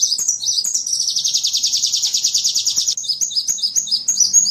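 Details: Sunbird song used for training songbirds: a few high sweeping notes lead into a dense, buzzy trill of about two seconds, followed by more sweeping, whistled notes.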